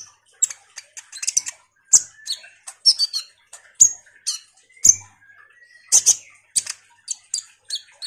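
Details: Common iora in lively song used to provoke responses from kolibri ninja birds: irregular sharp high chirps, ticking notes and brief twitters, with a few faint drawn-out whistles between bursts.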